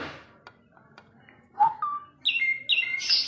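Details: Asian pied starling song beginning after a few faint clicks, with a low slurred note, then clear steady whistles and a harsh burst at the end.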